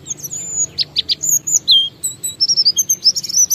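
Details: Oriental white-eye in lure song to set other white-eyes singing: very high drawn-out whistles mixed with quick sharp chips, closing in a dense run of bright notes.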